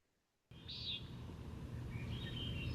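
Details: A Common Nighthawk gives its jer call, one of its two primary calls: a single short, nasal, buzzy note, followed by fainter buzzy notes over a low, steady rumble of background noise.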